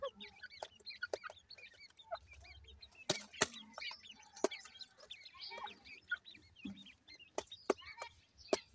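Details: Chirping partridge chicks at play give short, high, curved peeps in a steady overlapping stream. Loud sharp clicks and taps recur, with a soft low thump early on.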